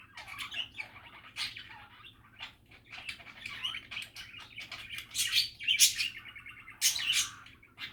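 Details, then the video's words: Softer budgerigar chatter: busy, murmuring warble of many small chirps and buzzy notes, with louder sharp squeaks breaking through near the end. "Happy and relaxing budgie chatter"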